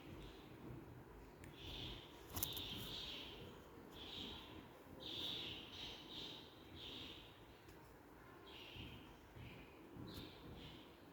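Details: Three-month-old cockatiel being hand fed: a run of raspy, buzzy mid-pitched calls, each lasting under a second and repeated roughly every second, with a low, steady rumbling background.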